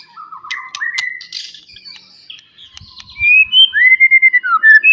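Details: Wild forest white-rumped shama in loud rival-provoking song: soft low whistles at first, then clear rising and falling whistled notes building into rapid loud chirps at the end.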